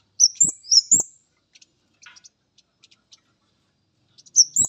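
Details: Male orange-headed thrush meeting a female: high, thin whistled phrases that rise and slur, given in quick pairs, then a pause with faint soft chirps, and the phrases resume. Dull low knocks sound under the loudest notes.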